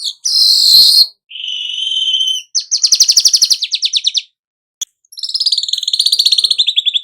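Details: Weaver (burung manyar) song in the 'nyerut' style, played to get a kept weaver singing actively: a high hissing note, a steady buzz, then fast pulsed rattling trills at about four pulses a second, ending in a long sizzling trill.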